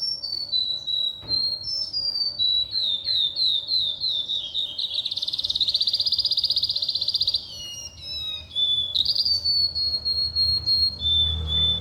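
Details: Oriental skylark singing a varied high sequence of thin whistled slurs, a dense fast buzzy trill in the middle, then more clear drawn-out whistles, over low background rumble.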